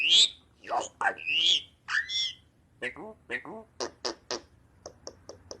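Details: Tame, captive white-eyebrowed myna that can make robot-like sounds; a fast run of varied squawks, rasping notes and clicks, ending in a series of short, evenly spaced electronic-sounding bleeps.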